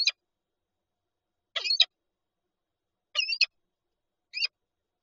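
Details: Peregrine falcon at a Lublin nest holding an egg, 19 March 2022: scattered bursts of grating, chattering notes about every one and a half seconds, some doubled and squealing at the end, otherwise quiet.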